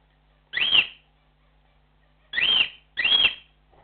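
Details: Cockatiel flock calls: three loud, rising-then-arching whistled notes, the first alone, then two close together about half a second apart, each lasting roughly a third of a second, in a quiet indoor setting.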